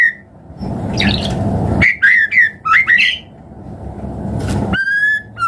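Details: White-rumped shama song played to stimulate other birds to sing: short bursts of loud whistled, warbling notes separated by gaps, over a steady rushing background noise, ending with a clear held whistle.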